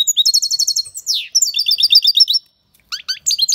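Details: European goldfinch singing loudly, an aviary bird: a quick stream of repeated high tinkling notes and a buzzy descending sweep, a brief silence, then several sharp rising chirps.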